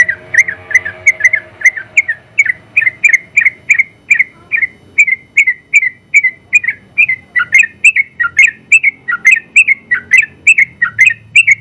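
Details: Sooty-headed bulbul, a first-place winner in the general class at a songbird contest, singing its long rapid song. It gives bright whistled notes, each dipping then rising, delivered in a steady stream about once a second. Faint low hum behind.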